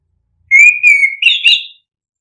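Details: Single clear orange-headed thrush phrase, offered as a lure for quiet birds: a steady, level whistle that breaks into a brighter, higher warbled ending, lasting just over a second.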